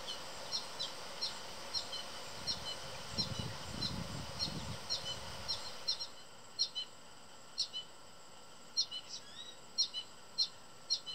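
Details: An American goldfinch in a backyard tree, feeding another goldfinch and chirping for food, gives rapid, high, thin chirps several times a second, then sparser, sharper notes, with a brief low rumble of wind partway through.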